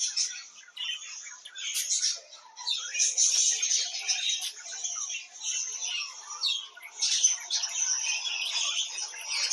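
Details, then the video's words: Continuous budgerigar song, a long run of chattering, buzzy and squeaky notes rising and falling with short pauses. "صوت تغريد طيور البادجي"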